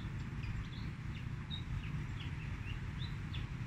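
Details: Fantail singing, offered as a lure to trap birds: quick thin whistles, mostly upslurred, given about two to three per second against a continuous deep rumbling background noise.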